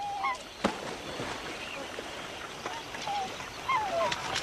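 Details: Black swans at Lake Gregory, Western Australia, a temporary flood lake in the outback that nomadic waterbirds fly thousands of kilometres to reach, give soft, wavering, musical bugled honks from several birds over faint hiss.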